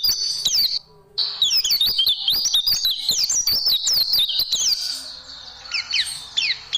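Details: White-eye song used to train caged birds: intense high twittering with many quick sweeping notes, broken by a short silent gap, ending in sparser chirps.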